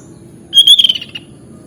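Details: Sooty-headed bulbul, known locally as kutilang, giving a lively 'gacor' phrase used as masteran song: a loud pure whistle, then several quick stuttering notes sliding downward, the phrase lasting under a second against a quiet humming background.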